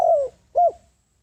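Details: Spotted dove decoy bird cooing on the ground to lure wild doves in: two low, hollow coo notes, the first long and gently falling, the second short and arched, with quiet between.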